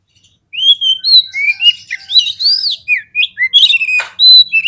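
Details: Oriental magpie-robin song used to rouse rival birds into fighting: after a short silence, dense varied whistles and slurs follow one another quickly, with a brief harsh burst near the end.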